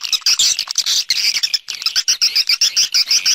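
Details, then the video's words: Swiftlet sounds for attracting birds to houses: a dense, unbroken stream of high, thin chirps and buzzy trills, several notes each second, with no other sounds. "Swiftlet External Sounds"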